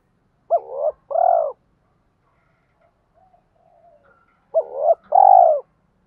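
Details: Male and female spotted dove calls to stimulate cooing: two phrases four seconds apart, each a sharp hooked double note followed by a rounded falling coo, faint soft notes in the gap.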